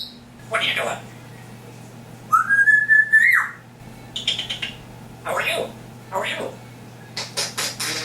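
An African grey parrot mimics speech-like syllables, a bright wavering whistle and clicky sound effects in short bursts, with a steady low hum underneath.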